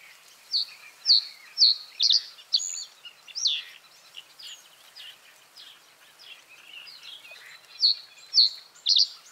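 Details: Common reed bunting repeating short, stuttering phrases of high, clipped notes about every couple of seconds, with soft twittering from other birds filling the gaps.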